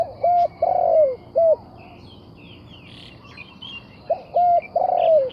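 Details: Spotted dove giving low hollow coos in two phrases: short clipped notes, then a long, slightly falling coo. Higher chirps and twitters from other small birds scatter through the pause between the phrases.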